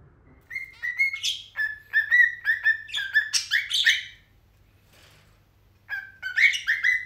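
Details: Hand-tame zebra finch chick, newly adopted and kept as a pet, on its first day home: rapid series of short nasal chirps, repeated in bursts, with louder busy chatter, a brief pause, then more chirping.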